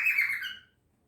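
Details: A 6-month-old cockatiel gives a brief, shrill, squeaky whistle, mimicking the sound of a dolphin.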